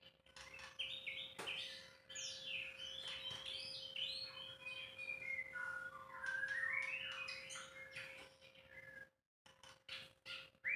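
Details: White-rumped shama singing at length, recorded without editing: a rambling run of varied whistles, trills and sharp high notes cascading up and down, ending with a silent gap and a few short clicking sounds; steady low hum throughout.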